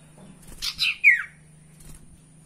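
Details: Lure recording of a spotted owlet to stimulate caged birds: two rough buzzy notes rising in loudness, then a sharp screech falling in pitch, against a faint low hum.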